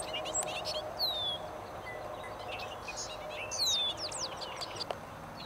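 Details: Bobolinks in a meadow: two bursts of jangling, metallic notes, each opening with a clear descending whistle, separated by scattered chips, over continuous soft hiss.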